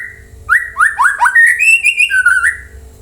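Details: Song of a white-rumped shama meant to make other birds answer: a quick string of rising whistled notes climbing into a sustained bright phrase, then a lower falling whistle.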